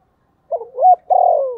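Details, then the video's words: A decoy spotted dove gives part of its calling phrase to lure wild doves: two brief soft notes rising into a held coo, followed by a long, slowly falling mellow coo, in near silence. "Tiếng chim cu gáy mồi gáy gọi giọng rất hạp bổi"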